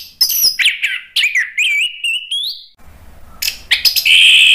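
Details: Gacor ngeplong song from an orange-headed thrush, used to lure other birds into answering: a series of rising and falling whistled phrases, a short pause, then harsh chatter and a sustained high warble.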